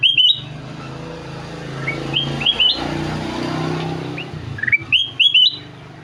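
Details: Golden-fronted leafbird singing with sharp, rising whistled notes in short bursts at the start and end; a passing vehicle rumbles through the quieter middle.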